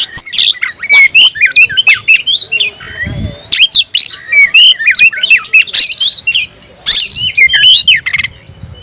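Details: Agitated oriental magpie-robin with fanned tail, singing to challenge a rival: rapid varied song of whistled slurs, chips and harsh buzzy notes, about four per second, in bursts with brief pauses, a faint low thump near three seconds.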